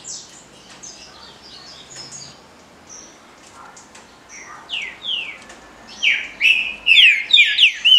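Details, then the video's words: Green-winged saltator singing in the Paraná liso batido style: faint high chirps at first, then from about six seconds loud, rich slurred whistles, rising and falling, repeated in quick succession. "TRINCA FERRO CANTO PARANA LISO BATIDO"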